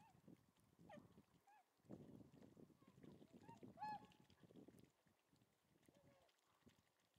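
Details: Tundra swans at Lake Biwa's western shore, 27 February 2020: several clear, hooting, horn-like calls with rich overtones, scattered across the clip and rising slightly, over dense low rumbling and splashing noise.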